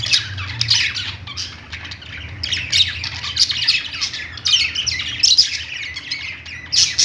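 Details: Budgies singing on a perch in a pet store produce a thick, unbroken chorus of scratchy chirps and warbles, swelling in louder phrases, with a steady low hum underneath.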